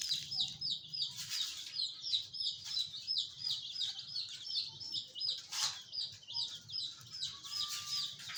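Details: Colourful chicks peeping: high, thin downslurred cheeps repeated rapidly and continuously, several birds overlapping, with a couple of brief rustling bursts.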